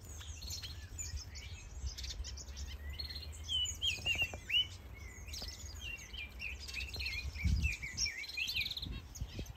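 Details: Mixed-species aviary in Denmark, planted with greenery and holding finches, softbills, turacos and more, many nesting. Whistled upslurred notes and rapid twittering chirps overlap steadily, with a low hum and a brief thump late on.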